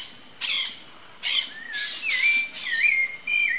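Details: Rufous-bellied Thrush (Turdus rufiventris), free in the wild: sharp noisy bursts spaced about a second apart, then a run of smooth whistled notes, some sliding down and some level, over soft background hiss.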